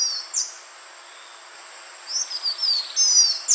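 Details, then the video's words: Green iora, a lure recording: a few high descending whistles, a pause, then a run of slurred whistled notes falling in pitch, with faint hiss behind. "SUARA BURUNG CIPOH JANTUNG UNTUK PIKAT DURASI PANJANG"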